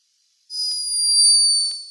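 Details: A sleeping hummingbird recorded in Peru snores: a thin, very high, steady squeaky whistle held for over a second.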